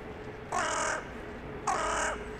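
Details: Crow living in the centre of town, evening, exchanging calls with crows arriving to roost: two loud, rasping caws roughly a second apart against low urban noise.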